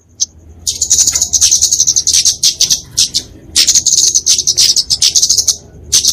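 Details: Flowerpecker, called kemade, singing its fighting song used to train and lure small birds: long continuous high-pitched twittering trills, nearly unbroken, with a few separate sharp notes at the ends.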